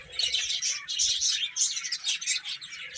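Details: Many chicks chirping while they eat and play: bright, high peeps pouring out in quick overlapping bursts that rise and fall in loudness.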